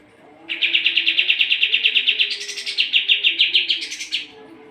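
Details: Sooty-headed bulbul singing hard, a tutor song for competition birds: a continuous rapid trill of sharp notes that steps up in pitch twice, becoming brighter toward the end.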